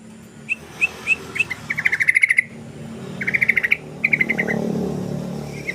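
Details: Yellow-vented bulbul used as a lure: a few separate clipped notes build into rapid chattering runs of sharp 'cruk' notes, with a steady low hum and other noise underneath.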